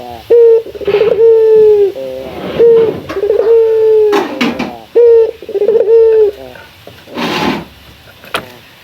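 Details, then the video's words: Local male Barbary dove (puter) giving its rival-calling coo: bouncing short notes run into a long, even, mid-pitched note, repeated about every two seconds, with occasional clicks and rustling. "Suara mewah jago memanggil lawan."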